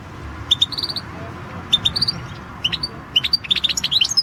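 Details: Competition entry from the 2016 World Championship in Goldfinch Song: a European goldfinch delivers bright high twittering phrases, paired clear chirps then a quickening run of tinkling notes, with low room rumble beneath.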